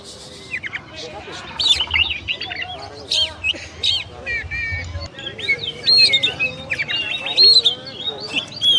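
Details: Kacer (oriental magpie-robin) champion song used as masteran material: a jumble of chirps, whistled slurs and short trills, with a brief low rumble early on and a busier stretch of whistling later.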